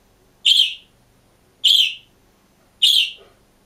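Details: Green budgerigar alone in a cage repeats a loud, sharp, high chirp three times, roughly every 1.2 seconds, evenly spaced in a quiet room.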